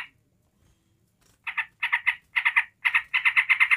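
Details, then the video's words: Yellow-vented bulbul giving ngekek chatter to stir up other bulbuls: after a second of quiet, grouped harsh notes in twos and threes build into a faster continuous run. "TRUCUK NGEBREN NGEKEK MEMANCING EMOSI TRUCUK LAIN"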